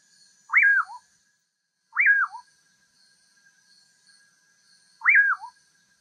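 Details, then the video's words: Common pauraque, called bacurau, repeating its whistled song three times: an upward-swooping note falling away into a clipped lower ending, the first two phrases close together and the third after a longer gap, with soft buzzing behind. "O Canto do BACURAU (Nyctidromus albicollis) Bird Song - Common Pauraque"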